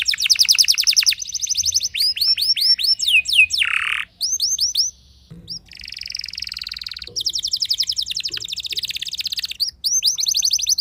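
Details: Canary song meant to make other canaries respond and sing at length: long loud run of rapid repeated high notes, curved whistles, a brief harsh buzz, rolling trills and fast chattering phrases.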